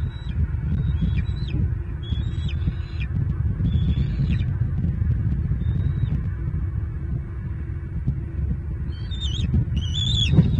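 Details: Bald eagles at a nest in Southwest Florida on a wet April morning in 2023, adult male with two eaglets: thin high piping notes in short clusters, brief pauses between, over constant low wind and rain rumble.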